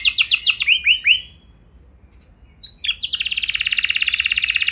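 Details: Canary song used as a training recording to coax other canaries into long rolling song: rapid downslurred high notes, a pause, then a fast buzzy trill of repeated notes, no other sounds.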